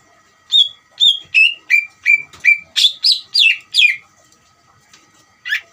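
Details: A greater green leafbird sings a provoking song aimed at getting another leafbird to answer; clear whistles slide lower, then give way to harsher, buzzier notes, ending with a short gap and a final call.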